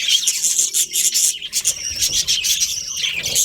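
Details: Colourful budgerigars of a breeding colony give an unbroken wall of shrill, buzzy chatter, many birds calling at once with rapid squeaky notes and hardly a gap.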